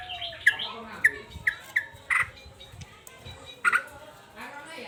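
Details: Agitated male sooty-headed bulbul, a caged songbird, giving short sharp downslurred chips at uneven intervals, then a doubled louder note, with a faint low tonal background hum.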